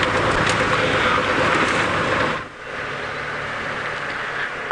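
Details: A loud vehicle engine roars, then drops suddenly midway to a quieter rumble. No animal call can be picked out.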